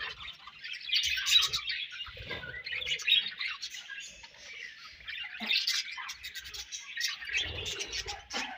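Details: Colony of budgies chattering continuously, high scratchy chirps and warbles layered over one another with occasional soft thuds.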